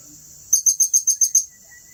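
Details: Blue-crowned hanging parrot from Turipos, Tenom: seven loud, evenly spaced, shrill high-pitched chirps delivered in quick succession within one second, over a faint steady insect whine.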